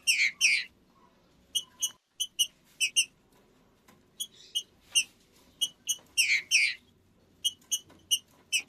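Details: Green-winged saltator (trinca-ferro) giving short, sharp, ringing notes, singly and in quick pairs, with some broader burry double notes, spaced irregularly across the clip over faint background hum.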